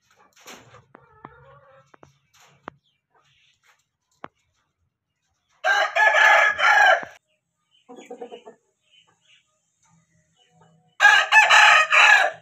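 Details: An Aseel hen, crowing as breeding season starts, gives two loud, harsh crows about five seconds apart. Each lasts over a second, with a few soft clucks in between.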